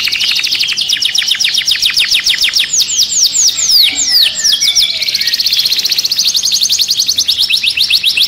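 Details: Caged canary in an agitated state sings rapid repeated notes, then a run of loud downslurred whistles, then fast rolling trills again.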